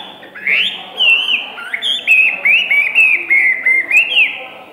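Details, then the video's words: One-season hwamei singing a loud run of clear whistled notes, each a swooping slur, repeated rapidly in a descending-and-recovering series, rich and melodic over a soft background. "Họa mi hót như aka bắn"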